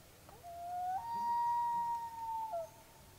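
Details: A male common loon sings to mark his territory on the shores of Big Manistique Lake in Michigan's Upper Peninsula. A long, pure, wailing note slides upward, holds steady for over a second, then dips and fades. A low background rumble sits underneath.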